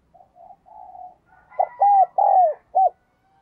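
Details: Spotted dove acting as a decoy, with gentle quiet coos leading into a loud four-note phrase of arched coos. A faint higher whistle-like tone runs alongside.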